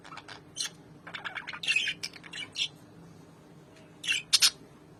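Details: A pair of albino lovebirds back together after more than four months exchange scattered high chirps and chattering squawks, with a quiet gap before two final shrill bursts.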